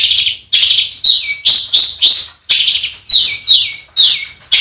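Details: Songbird training recording for competition birds with rough 'shot' fills: alternating harsh buzzy bursts and clear, sharply downslurred whistles, about one phrase per second.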